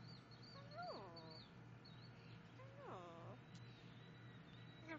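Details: Yellow-naped amazon producing two separate descending, richly harmonic calls about two seconds apart, with faint thin high whistled notes and a low steady hum behind.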